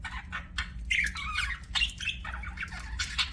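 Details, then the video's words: Pet budgies warble and chirp in twisting, slurred notes, with clicks and rapid squawky chatter over a low hum. "BUDGIES CHIRPING SOUND"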